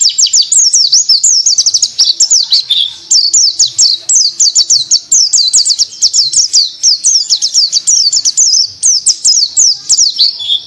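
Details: Ngriwik-style white-eye song, dense and continuous: very high, sharply slurred chirps delivered several per second in long unbroken runs, with a faint low hum underneath.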